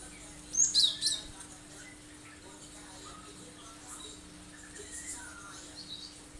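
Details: Cinereous tit (gelatik batu) in its sharp-shot 'tembakan tajam' song, a lure for other birds to imitate: a tight pair of high, shrill chirps early on, followed by soft, faint notes and low background hum.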